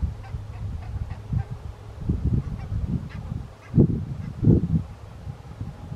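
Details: Wintering flock of Barnacle Geese in Ouddorp, South Holland, the Netherlands, on 27 January 2023, with Eurasian Curlews feeding nearby. A low, murmuring flock chatter breaks into louder nasal honks near the middle, over a steady low rumble.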